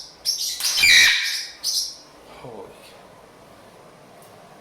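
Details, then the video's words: Indoors, a bored blue-and-gold macaw, seemingly telling a sun conure and a parrotlet to stop it, gives loud, harsh screeching squawks in quick bursts for two seconds, then quiet room sound and a faint voice. "making a lot of noise when bored"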